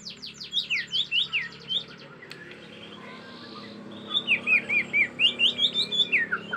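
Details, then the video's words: Agitated Bornean white-rumped shama in the forest, giving bursts of high sweeping whistles and chirps, a quiet pause, then a lively run of rising and falling whistled notes over a steady background hum. "Murai Batu Borneo Ngamuk suara asli hutan"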